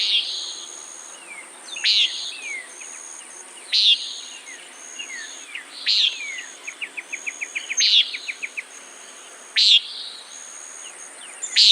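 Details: Repeated buzzy nasal calls from a common nighthawk, roughly every two seconds across the recording, over a background of soft twittering and a brief rapid ticking trill from another animal.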